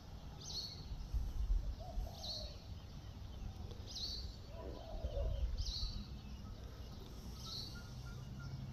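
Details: Common myna in New Zealand: regular, sharp high squeaks spaced under two seconds apart, a few low warbled notes in between, over a constant low noisy background.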